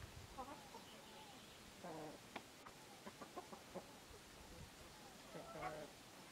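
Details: A domestic-type African goose (swan goose, Anser cygnoides) gives three short bursts of harsh, nasal honking, spaced a few seconds apart, with faint clicks and low background noise between.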